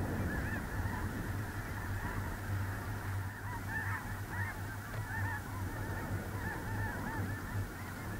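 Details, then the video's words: Big flock of snow geese on a small lake, central North Dakota, early November 2021, giving rapid, yelping honks that overlap densely, with individual arched calls clearly heard through a low background hum. "Snow geese"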